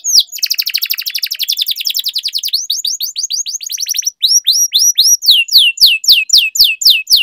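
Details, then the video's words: Canary long-roll training song: a sustained buzzy trill for about two seconds, then clear downslurred notes repeated three to four per second, evenly spaced. "Canary Singing Training, Kenari Gacor Ngerol Panjang,Pancingan Kenari Macet, Masteran Kenari Paud"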